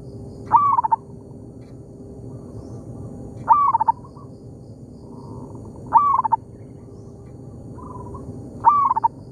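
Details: Zebra dove in an oil palm plantation responding to a decoy: four evenly spaced phrases about every three seconds, each a high slurred coo then a brisk series of short notes, with soft distant coos between.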